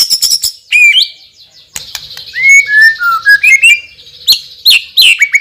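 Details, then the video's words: White-rumped shama, a champion with a loud and powerful song full of spicy fill: scattered sharp notes, then a descending ladder of clear whistled slurs over a faint high hiss, ending in rising flicks. "MURAI BATU juara isian super PEDAS_suara lantang dan keras"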